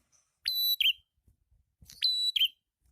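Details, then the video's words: ['Two phrases of red-headed prinia lure song. Each is a steep rising note into a long even whistle that ends in a short lower, wavering slur, with a pause between phrases.'] "SUARA PRENJAK KEPALA MERAH/PRENJAK ATAS GACOR"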